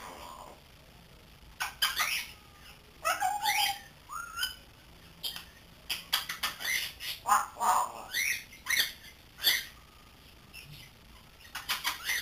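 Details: Three-month-old grey parrot learning to talk, indoors: a busy stream of clicks, scratchy squawks and short rough chatter notes, with a few brief upward-bending whistles among them.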